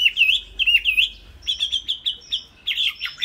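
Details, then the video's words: Caged Chinese hwamei delivering short looping whistled notes, each dipping and rising, repeated several times a second, followed by clipped bright phrases and a final run of slurred whistles. "Chim Họa Mi"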